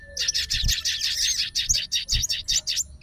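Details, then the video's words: Sooty-headed bulbul in fighter style, calling to a rival with a fast, even series of buzzy, scratchy chirps, about five each second, over faint low thuds. "SOGON FIGHTER LANGSUNG RESPON DENGAR SUARA SOGON GACOR"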